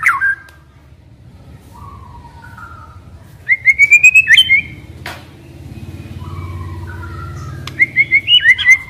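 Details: Sparse song of a young forest white-rumped shama: soft falling whistles, then a burst of sharp rising notes, more soft whistles, and a closing quick series, over steady low hum; used as a lure for quiet birds.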